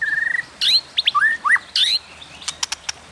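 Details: Provoking fight song of a White-rumped shama, 'kéo thuốc lào' style: opens with a fast stuttering whistle, then rich looping and upslurred phrases, ending in scattered sharp ticks.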